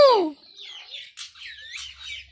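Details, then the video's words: Pet Indian ringneck parakeet talking: a loud falling harmonic squawk opens, then softer warbled, whistled syllables run on like chattering speech. "Talking indian ringneck parrot"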